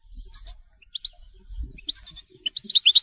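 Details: European goldfinch singing in the telqam song style: scattered short high chirps and twitters, some paired, quickening toward the end into a run of bright rising notes, with faint low rumbling underneath.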